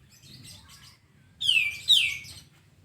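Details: Sooty-headed bulbul tutor recording: faint twittering first, then two strong descending slurred notes in quick succession, with steady low background hum.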